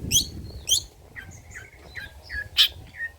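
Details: Long-tailed shrike, old-style song material for lure and tutor use: scattered notes, a couple of sharp high chips, then softer slurred whistles and a final loud chip, with pauses between.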